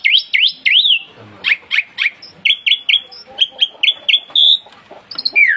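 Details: Loud song of a black-winged myna (jalak putih): sharp whistled notes, some swooping, others short and repeated about twice a second in a steady series, with a few clicks between phrases.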